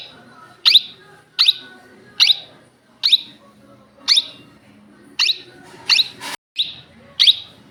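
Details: Pet Indian ringneck parakeet calling in its natural voice, loud shrill screeches repeated at roughly even intervals, with a brief clatter near the end.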